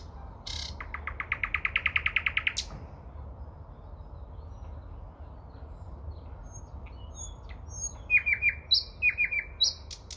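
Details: Near Moscow in early May, a nightingale delivers a quick run of about fifteen evenly repeated notes that speed up into a roll. After a pause come thin high whistles and a string of emphatic down-slurred notes.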